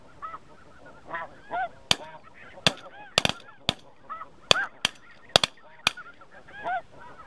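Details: Snow geese during spring 2017, a large flock honking and yelping continuously, broken by repeated sharp, loud cracking bangs every second or so that stand out above the calling birds.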